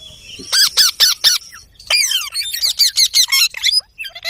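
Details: Parrot with a soft voice uttering four quick squawks, then a longer run of fast, slurred chattering notes that fades into a few faint chirps.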